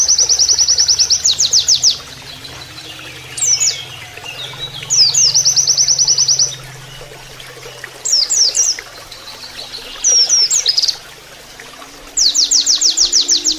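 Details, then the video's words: Oriental white-eye giving canary-style training song: repeated bursts of very fast, high, buzzy trills lasting one to two seconds, interspersed with short slurred whistles and quiet gaps, with running water audible beneath. "MASTERAN PLECI NEMBAK KENARIAN"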